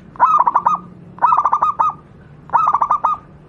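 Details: Perkutut lokal alam, a zebra dove, singing for training other doves: three rapid bubbling phrases about 1.2 seconds apart, each a quick string of six to seven looping coos.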